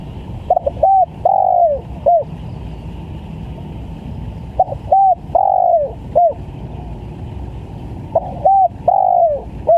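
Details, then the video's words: Spotted dove calling vigorously as a lure: three full phrases, each a stuttering pair of short coos, a longer falling coo and a brief final note, spaced roughly every four seconds over low rumbling noise. "PANCINGAN TEKUKUR||SUPER GACOR"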